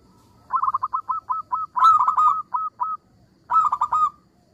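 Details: ['Local zebra dove singing actively in a soft, sweet voice meant to draw replies from rivals: a rippling run of about a dozen quick, rolling coos, a louder cluster mid-way, then a short trilled burst after a pause; faint low background rumble.']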